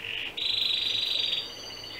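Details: Canary song played for a young male canary kept in his own cage apart from his parents, so he copies it and begins singing; a high steady trill that steps up in pitch and holds.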